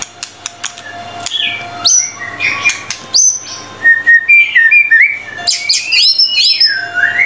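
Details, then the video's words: White-rumped shama tutor song with 25 materials: soft clicks and scattered notes build into louder high whistles, twittering phrases and a closing burst of bright, tumbling notes. "MURAI BATU GACOR FULL 25 MATERI MASTERAN MEWAH 100% MASTERAN MURAI BATU PALING AMPUH GACOR BANGET"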